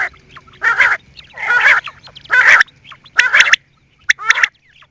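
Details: Quail uttering several rasping, buzzy squawks, then sharper clicking double notes toward the end.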